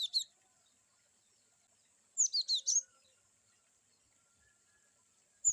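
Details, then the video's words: Cinereous tit (glatik batu) with varied wucit-wucit notes: a brief chirp at the start, then four clear, high, falling whistled notes in quick succession, otherwise quiet apart from a steady thin whine. "glatik batu wucit2 bervariasi cocok untuk terapi glatik"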